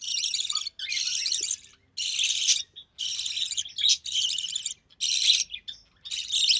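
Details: Recessive pied budgerigar nestling from early June 2020, fed by its Albino Red Eye mother: loud, long, harsh buzzing rasps of nearly a second each, about seven in a row with short breaks.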